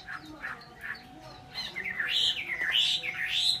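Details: Vietnamese cage-bird Chinese hwamei: faint scattered notes at first, then a loud swelling phrase of harsh, sweeping whistles rising and falling in the second half.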